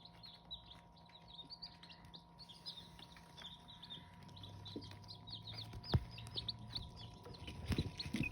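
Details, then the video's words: Hmong chicken chicks peeping in a lively high chorus while low rumbling handling noise and a few bumps grow louder toward the end. "Qaib Hmoob (aka Hmong chicken) Chicks!!"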